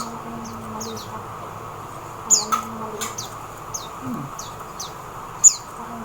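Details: Oriental white-eye from the Philippines, a handful of thin, high descending chirps at uneven intervals, two louder than the rest, over soft background noise.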